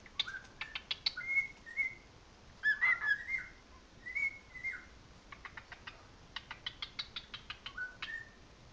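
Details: Male cockatiel kept as a pet tries to keep up with another cockatiel's recorded song, giving short level and slurred whistles between bursts of quick dry clicks, faint against room hiss.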